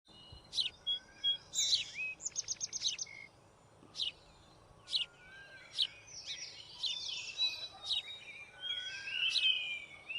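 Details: A white-throated fantail (Rhipidura albicollis) building its nest gives sharp, high squeaky notes about once a second with a quick burst of six ticking notes; thin whistles of other birds sound behind.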